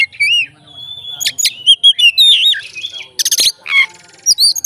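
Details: Oriental magpie-robin, a fighting bird, sings to provoke other magpie-robins: high looping whistles, clear slurred notes, and brief harsh rasping bursts, loud and tightly spaced.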